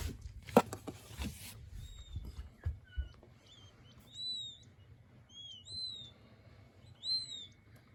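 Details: Young king quail chicks: after a few loud knocks and taps, short high whistled peeps come singly and in pairs, thin and slightly descending, over a low background hum.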